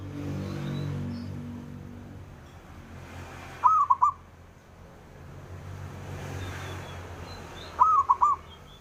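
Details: Male zebra dove calling so that rivals respond; two crisp, rolling coo phrases about four seconds apart after a stretch of low rumbling background, faint chirps of other birds scattered throughout.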